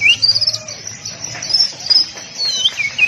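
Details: Oriental magpie-robin training song for caged birds in a tight-shot masteran style: clear whistled notes sweeping between high and mid pitch, a rising slur, then bursts of short high phrases over a faint low hum.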